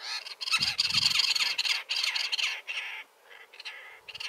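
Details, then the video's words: Great spotted cuckoos, two in a bush, newly arrived in the Iberian Peninsula, giving garrulous song: harsh raspy chattering bursts about four a second in uneven runs with brief pauses; a few low thumps near the start. "el canto del Críalo"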